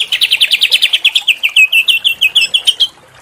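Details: Small bird recorded as masteran training material for Oriental magpie-robins: a steady, rapid run of high chirps, about six per second, gradually dropping slightly in pitch before stopping abruptly near the three-second mark.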